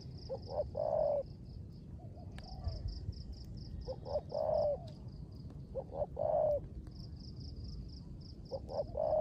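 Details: Spotted dove kept as a caged decoy, calling in rain with the 'rước gù' coo: short paired low notes leading into a drawn-out hollow coo, repeated several times against rain noise and a high rhythmic buzz.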